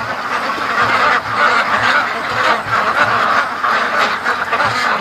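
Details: Free-range ducks, a flock of more than 650, heading into feeding after the daily lake trip; unbroken chorus of many quacking voices, swelling and dipping in loose waves over five seconds.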